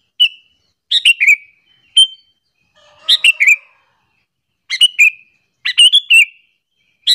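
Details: A sooty-headed bulbul calls to lure and provoke other bulbuls, with clusters of two to three bright chirps and falling whistled tails, spaced roughly a second apart, background silent.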